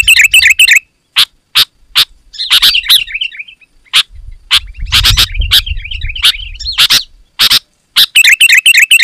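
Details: Loud sooty-headed bulbul song for luring wild birds: harsh chips alternating with flowing warbled phrases, a murmur of low background noise midway, ending in a quick burst of bubbling notes.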